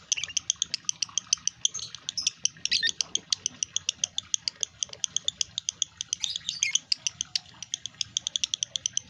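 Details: Male lovebird in breeding condition giving a rapid, continuous chatter of sharp high clicks and chirps, about six to eight per second, with brighter squeaky bursts mixed in, over a faint low hum.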